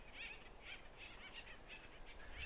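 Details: A bunch of Acorn Woodpeckers in Jeffrey pine and black oak woodland, Cuyamaca Rancho State Park, San Diego County, California, on a mid-spring day (9 May 2023), give short, harsh screechy calls about twice a second over a low rumble.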